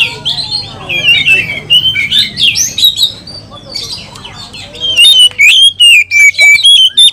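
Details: Over-excited oriental magpie-robin, singing 'kanibal, mbagong, salto' style that provokes other magpie-robins. It opens with sliding whistles, then a rapid run of loud, sharp, evenly spaced notes about four per second.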